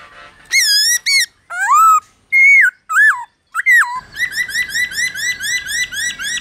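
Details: Captive-training recording of a black-throated laughingthrush in wild-style song: loud, separated swooping and bent whistles, followed by a fast, even series of repeated rising whistled notes.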